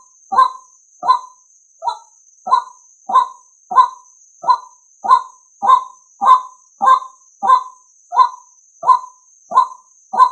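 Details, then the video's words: Lure call of a male White-breasted waterhen, played to attract other males: a long, even series of about sixteen short, hoarse, honking notes, one roughly every 0.65 seconds, with a steady faint high whine behind. "Tiếng Quốc Trống Dụ Trống Nhờn"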